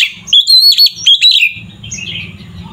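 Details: Oriental magpie-robin in loud 'gacor ngeplong' song, used to provoke other magpie-robins into fighting mood: about a second of bright, rapid whistled and trilled phrases, then quiet with a low background hum.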